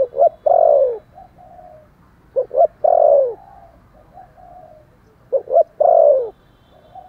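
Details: Spotted dove calling and cooing vigorously: low, soft coos built from two short notes followed by a longer, falling, hollow coo, repeated in phrases roughly every two and a half seconds, with faint background hiss.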